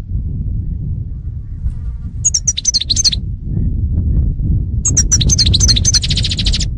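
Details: European goldfinch singing two fast bursts of high, sweet twittering notes and slurs, the second ending in a rapid trill, set against loud low background noise.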